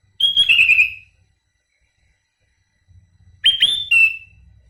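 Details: Sooty-headed bulbul in isian song: a loud whistled note sliding down into a rippling falling warble, and after a two-second silence a pair of quick slurred notes ending in a thin held whistle, over a faint low hum.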